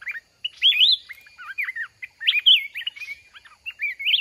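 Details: Mountain red-whiskered bulbul singing during fight-trapping with a decoy: bright, warbled phrases of quick rising and falling notes, loud bursts separated by short pauses, several overlapping whistled figures.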